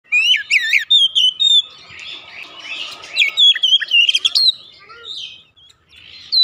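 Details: Oriental magpie-robin, a home-kept bird, singing varied whistled phrases with rising and falling slurred notes and quick chattering trills, in bursts separated by quieter pauses.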